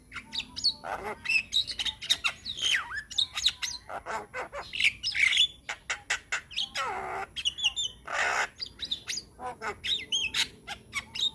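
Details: Energetic Javan myna song rich in varied phrases, meant for training young mynas: rapid chips, wavering whistles and scratchy squawks, broken by two long noisy hisses, continuing in a steady stream.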